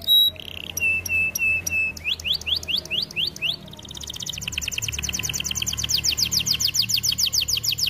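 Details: Canary song used as a training recording: a few steady high whistled notes, then a run of quick rising sweeps, then a long fast rolling trill of sharp repeated notes.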